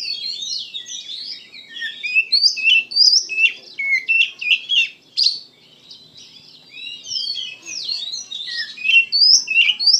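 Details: Extended gacor song of an Oriental magpie-robin: a steady flow of varied whistles, chirps and quick slurs, a short quiet gap midway, then loud, dense phrases again.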